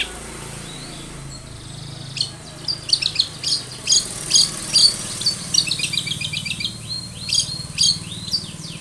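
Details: Long-tailed shrike singing a lure to make shrikes sing: rapid series of high, scratchy chattering notes in uneven bursts over a steady low rumble of background noise.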